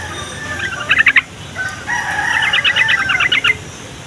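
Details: Yellow-vented bulbul song meant to make young, quiet or flock bulbuls sing along and draw wild birds closer; loud bubbly warbling, two lively phrases of quick rolling notes, the second longer and steadily pulsing.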